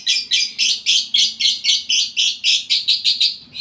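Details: Lovebird in breeding condition, caged, giving a fast series of harsh, buzzy chirps, about two per second, steady and insistent through the whole stretch.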